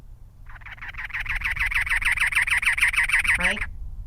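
A Cactus Wren gives a harsh, rapid, mechanical chugging run of about twenty grating notes over three seconds, like an engine that won't turn over.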